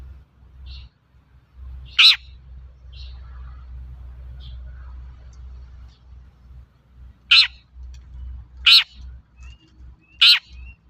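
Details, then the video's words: Long-tailed shrike used as a lure for untrained shrikes: several loud, harsh, rasping notes, one early and three close together later, with a few faint softer notes and persistent low rumbling noise. "Suara burung cendet gacor untuk pancingan cendet bahan"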